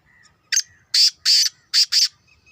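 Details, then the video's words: Captive two-year-old black francolin, called kala tetar, giving a harsh grating call: five loud rasping bursts in quick rhythm, the middle pair longer, with faint low background noise. "Kala tetar / mera 2 saal ka new tetar / black francolin /black Patridge"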